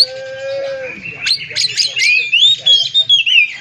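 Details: Oriental magpie-robin song used as a lure to provoke other magpie-robins into singing. The first second holds low, steady tonal lines. Then come quick, high chirps and a long, bright, rising-and-falling whistled phrase.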